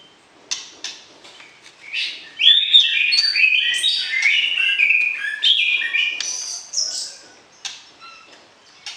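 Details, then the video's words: White-rumped shama in a pairing setup, singing to provoke the opposite sex before breeding: scattered sharp clicks and chips lead into a loud burst of rich whistled warbling, then tapering back to sparse ticks. "PERJODOHAN Murai Batu, PANCING Birahi Lawan Jenis"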